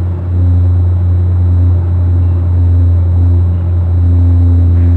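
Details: Steady low engine rumble and mechanical hum throughout, with no animal voices.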